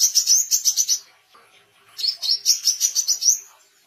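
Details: Oriental white-eye song for training songbirds and luring wild birds: two bursts of quick, high, evenly spaced chirps separated by a short gap.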